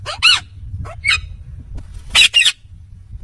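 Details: Indian ringneck parakeet, kept as a talking parrot, producing a few short, modulated, voice-like squawks, with a loud paired burst near the end over a steady low hum.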